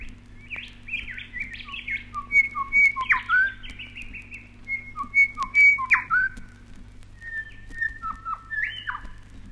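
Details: Grey Shrike-thrush (grey thrush) from a 1968 Australian wildlife record, singing rich, varied phrases of clear whistles, some sliding and ringing, in bursts every few seconds over a low steady hum.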